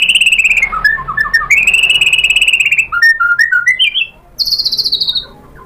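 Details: A provoked white-rumped shama replying with its learned song: steady rapid trills, short down-slurred notes, a stepped rising series of whistles and a high fast trill at the end.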